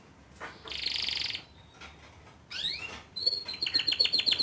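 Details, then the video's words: Young male canary song meant to prompt a juvenile bird to sing, heard softer: a buzzy burst, a pause, rising swept notes, then a fast high trill of repeated chips. "Memancing Emosi Kenari Paud Dengan Kicauan Kenari Jantan Muda Agar Cepat Buka Paruh"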